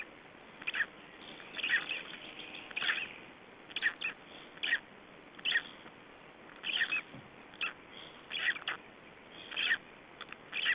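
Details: Black stork chicks, three days old, in Estonia in 2012: short repeated nasal bursts in clusters roughly every second, thin and hoarse, over a steady background hiss.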